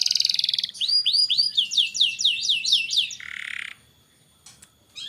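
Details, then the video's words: Canary song used as a tutor to stimulate young canaries to sing: a rapid buzzy trill, then a run of high rising-falling whistled notes, a short harsh buzz, brief quiet and a fresh phrase at the end. "Burung kenari gacor cocok untuk MERANGSANG kenari bahan agar cepat gacor"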